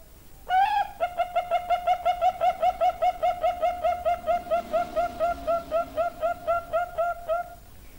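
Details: Bangkok-type zebra dove, a perkutut bred for its 31-beat song, opening with a rising note then a long even series of soft, mellow cooing beats, evenly spaced about four per second, against faint low background hum.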